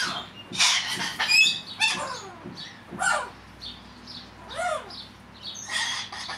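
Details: Pet male cockatiel chattering alone when he thinks no one is watching. Bright chirps and squeaky whistled notes come in irregular bursts, some notes sliding downward, with short quiet gaps between.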